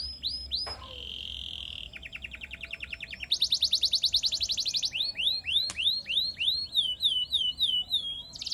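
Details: Canary in full gacor song used as training material: high rolling trills, a dense buzzy tour, then a series of loud rising slurred whistles repeated about three times a second.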